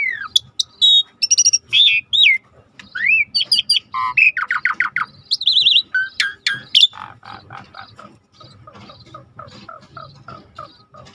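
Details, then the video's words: Lively starling song for training other birds: rising slurred whistles, chirps and buzzy trills, then a long fading series of soft, rapidly repeated notes. "Suara jarak Suret gacor /the sound of the starling suret gacor masteran"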